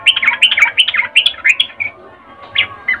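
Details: Female sooty-headed bulbul's mating call to a male: a fast run of bright slurred whistled notes, followed by a few scattered soft chirps.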